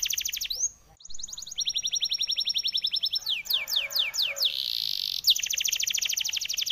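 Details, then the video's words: Chattering 'ngoceh dor dor' canary song: a rapid trill, a brief cut, then a steady trill over a held high note, several slow falling sweeps, a buzzy burst and a final quick trill. "Burung kenari ngoceh dor dor - kicauan burung"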